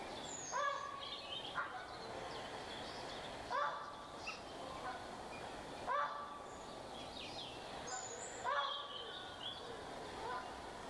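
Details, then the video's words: Ural owl giving short, harsh, barking calls about every two to three seconds, each a rough rising note over a faint hiss. "Ural Owl"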